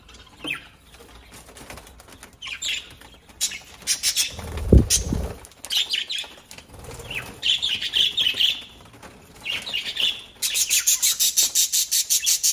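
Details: Small parrots trading bright twittering chirps, then a rapid, rhythmic burst of wingbeats near the end, after a loud bump and rustling.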